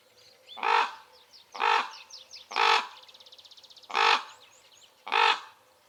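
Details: Five coarse, croaking caws from Common ravens in wild acacia woodland, about one per second, with a small bird's fast high trill and chirps between them.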